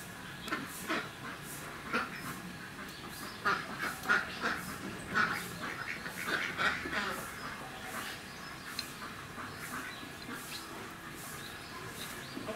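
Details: A male sulphur-crested cockatoo at a park in Mishima, Shizuoka, Japan, on 24 November 2018 gives harsh, raspy squawks in short irregular bursts, roughly every second, over a faint background murmur.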